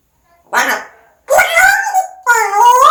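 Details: Pet parrot talking in three loud word-like sounds, the last two strongly tonal with clear harmonics, one sliding upward in pitch.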